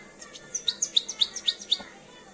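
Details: A two-year-old European goldfinch beginning to come into breeding condition utters a short series of about eight sharp, high tinkling notes, evenly spaced and quickly repeated, against a quiet background.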